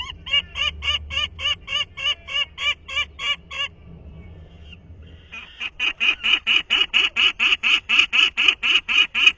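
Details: Young Peregrine Falcon in the nest, 2023, giving its father's call for the first time, days after first hearing it: a run of grating notes at about four per second, a short break, then a longer, louder rapid series.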